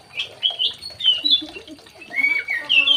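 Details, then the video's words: Young male white-rumped shama kept in an aviary, singing short, varied whistled phrases: clear notes gliding up and down, some sharper chirps, in bursts about every half second with brief gaps, plus faint low tones underneath. "CIRI CIRI MURAI BATU TROTOLAN JANTAN"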